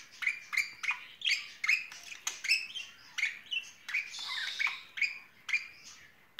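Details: Pair of budgerigars with spring feelings, chirping almost nonstop: quick scratchy notes repeated about three times a second, briefly blurring into a hissy chatter midway.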